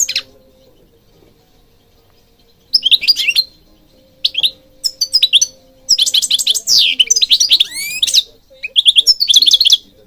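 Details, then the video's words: Singing European goldfinch from Morocco, recorded to stimulate caged birds; after a quiet start, bursts of rapid high twittering, trills and sweeping slurred notes, with a faint steady low hum underneath. "Singing Goldfinch King goldfinch singing"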